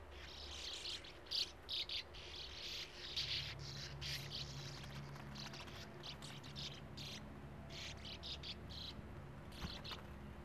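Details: Chattering of Sand martins at their colony beside a gravel-pit lake, young waiting at burrow entrances with open bills; dense overlapping harsh, buzzy bursts throughout with a steady low rumble underneath.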